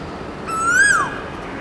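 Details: A male Asian koel singing in a neighbouring garden gives a single clear whistled note that swells upward, then drops away at the end, over a soft background hiss.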